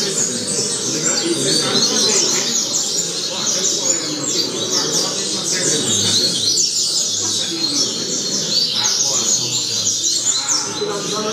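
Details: Double-collared seedeater singing as a tutor for young birds: fast, high twittering phrases repeat without pause, with a broad hissing background throughout.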